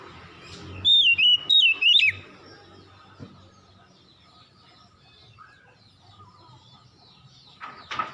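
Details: Evening song from an Oriental magpie-robin: a burst of four loud whistles with looping, falling-and-rising shapes, followed by quiet with faint distant chirps and low hum.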